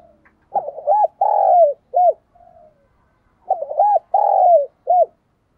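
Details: Decoy spotted dove in Vietnam, of the 'giọng thổ' voice style, cooing to lure wild doves and provoke them to fight. Two clear phrases about three seconds apart, each a quick doubled note, a long wavering coo, then one short closing note.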